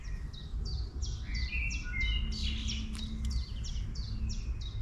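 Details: Long-tailed tit visiting a town, calling in a run of high, thin notes that each drop quickly in pitch, repeated steadily, while another bird adds a few level whistles and low background rumble continues.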